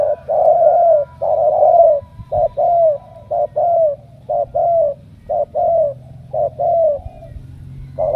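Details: Spotted dove from Ca Mau, a 'đồng' bird chosen for its cooing, opening with two long sustained coos, then a brisk series of short-and-long paired coos, evenly spaced.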